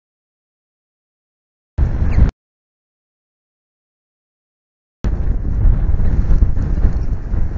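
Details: Mostly silence broken by a short burst and then a longer stretch of low wind rumble, with no animal voice.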